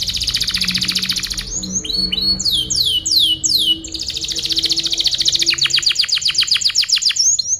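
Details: Canary masteran song used for tutoring other birds: rapid buzzy high rolls, then a run of loud descending swooping whistles, then a fast even trill of repeated sharp downstrokes.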